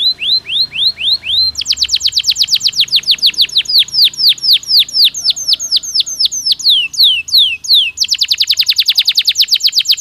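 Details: Stimulating canary song for the breeding season: slow falling whistles, then a long rapid rattle of sharp descending notes, varied rolls and a fast high trill near the end.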